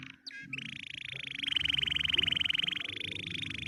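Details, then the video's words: A canary sings happily in a continuous fast pulsing trill that swells in loudness midway, preceded by a short chirp, with a low humming noise underneath throughout. "Watch the canary sing happily"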